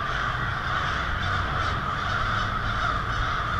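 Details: Hundreds, perhaps thousands, of American crows gathering noisily to roost on a residential street in Lansing, Michigan, on a February 2016 winter evening; a dense, unbroken wash of overlapping harsh caws with a low background rumble.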